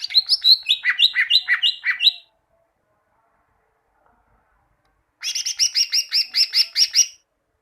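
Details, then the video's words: Training song of the greater green leafbird (cucak ijo) for caged birds: two bursts of rapid, rhythmic chattering notes, the first with descending slurred syllables, the second a fast buzzy trill, separated by three seconds of silence. "Masteran cucak ijo, masteran burung cucak ijo agar cucak ijo rajin bunyi"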